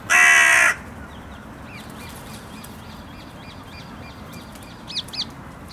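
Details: Carrion crow being fed nuts in a park, shouty and noisy; a single loud harsh caw opens, then faint high chirping from smaller birds continues in the background.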